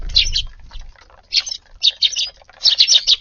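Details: On a warm 10 February, sparrows feed in a garden at lunchtime, giving quick clusters of bright, high chirps in four or five bursts. A soft low rumble sounds at the very start.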